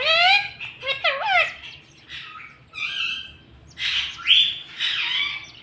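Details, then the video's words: Pet talking parrot indoors, said to speak words such as mummy and papa; harsh harmonic speech-like phrases with wavering pitch come in four bursts separated by short pauses. "BOLNE WALA TOTA 😁 Talking parrot"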